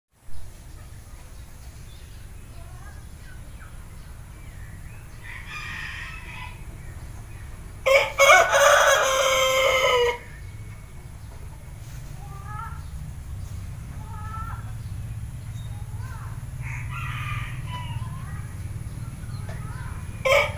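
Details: Six-month-old Pelung rooster, only recently beginning to crow, gives a single loud, rough, drawn-out crow among soft chirps in the morning.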